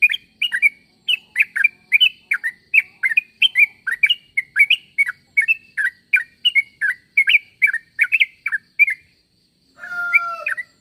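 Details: Sooty-headed bulbul calling to draw answers from other bulbuls: a rapid series of short, bright chirping notes, often paired, repeated steadily for about nine seconds, ending with a brief different rising whistle.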